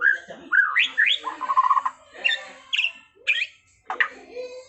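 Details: White-rumped shama (Copsychus malabaricus) in 'trontolan ngerol' style: harsh squawking notes and rising slurred whistles, broken by a rapid stuttering run, phrases spaced by short pauses.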